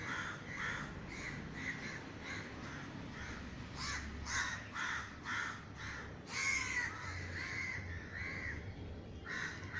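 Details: A flock of crows calls over a garden in Sri Lanka after a crow-scaring gunshot, with a steady stream of harsh caws in rapid succession from several birds and a louder burst past the middle.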